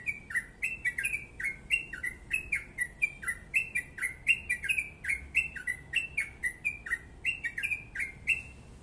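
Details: Yellow-vented bulbul in long rapid song (ropel panjang): quick repeated slurred notes, alternately rising and falling, closely spaced with high ticks, ending abruptly near nine seconds, quiet background.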